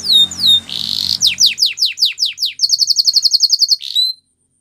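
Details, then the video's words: Canary singing a training song: down-slurred whistles and a buzzy roll, then a series of quick descending sweeps about six per second, a fast even high trill, and one final slur. "Canary singing Bird Sounds At Its Best | Melodies Canary Bird Song"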